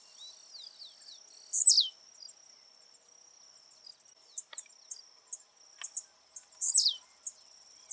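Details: Wild blue-black grassquit recorded live in nature, giving its 'de pulo' jump song: two songs, each a run of quickening high ticks ending in a loud buzzy note that sweeps downward. A steady high insect whine continues underneath.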